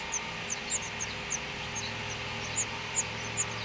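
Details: House finch nestlings in a wreath nest on a Utah front door being fed by their mother, giving very high, thin, short squeaks at uneven intervals over a constant low hum.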